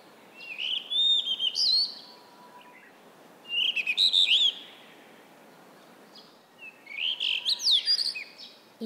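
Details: Blue rock thrush (Monticola solitarius), very clear and beautiful song: three fluting warbled phrases, each about a second long, spaced roughly three seconds apart, over a faint low background hiss.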